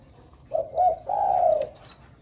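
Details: Zebra dove of the Bangkok perkutut type, singing actively and used to coax young birds into song; low, soft, slightly rough coos in two drawn-out phrases with faint background noise.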